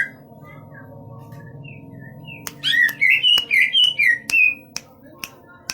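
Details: Large-bodied greater green leafbird from East Java singing: soft scattered whistles, then a loud run of about eight bright, slurred whistled notes rising and falling, followed by a few sharp clicks and a low background hum.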